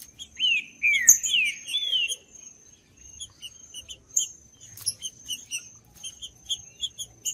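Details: Green-winged saltator singing in the judas style, used to stimulate and warm up a cold bird: loud, slurred, arching whistled phrases in the first two seconds, then rapid, high, short chirps repeating steadily, over a faint continuous high whine.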